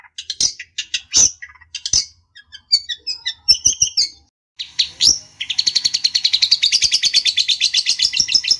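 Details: Mixed chirps and sharp twitters from a long-tailed shrike give way to a long, even, buzzy rattling trill; the song is meant to draw an angry answer from a rival.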